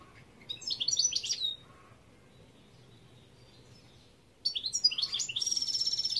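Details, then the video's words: Song of the European goldfinch, 2021: a brief burst of high twittering notes, a long quiet gap, then a renewed stream of rapid, jingling chirps and a thin sustained whistle. "Chant Chardonneret"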